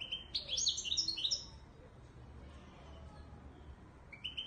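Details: A Moroccan Widani (Marrakech-type) European goldfinch sings a quick burst of bright, tinkling twitters and liquid trills for about a second and a half, then falls quiet before a brief twitter resumes.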